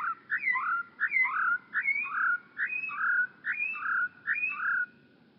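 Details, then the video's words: Grassland yellow-finch (Chirihue, Sicalis luteola) singing a run of six quick paired phrases, each a sharp note dropping into a slurred whistle, about one per second, its typical short repeated pattern; a low rumble underneath. "El canto del Chirihue"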